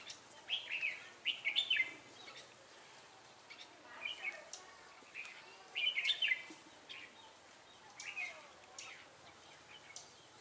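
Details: Red-whiskered bulbul lure bird used to trap wild birds, Ba Thá, 18 December 2016; short chirpy warbled phrases repeated every couple of seconds, with other birds calling faintly.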